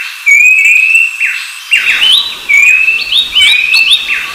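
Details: Rufous-browed babbler (Pellorneum capistratum): a brief silence, then long thin whistles held near one pitch and rising slightly at their ends, mixed with sharp curved downslurred notes from other birds. A steady high hiss runs underneath.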